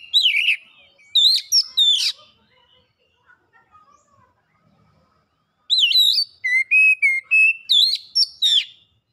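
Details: Lure recording of an oriental magpie-robin in energetic song with mimicked phrases: loud whistled bursts and snapping clicks, a long near-silent gap with faint notes, then a renewed rapid series of whistles and level tones.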